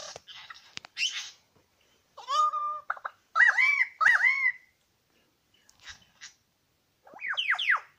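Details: One of two male Superb Lyrebirds at Lookout Point, New England National Park, giving mimicked nasal mewing and arched, cat-like notes among sharp clicks, then quick downslurred whistles.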